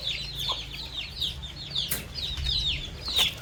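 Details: Baby chicks feeding on fresh termites on a farm, peeping busily: overlapping high, thin, falling cheeps from several birds, with a few light taps and low background rumble.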